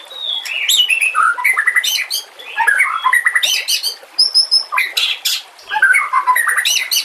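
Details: Murai batu, the white-rumped shama, singing in a training and lure recording with natural sounds: a loud, varied, jumbled song of sharp clicks, rich warbles and high squeaky notes, in dense phrases broken by brief pauses.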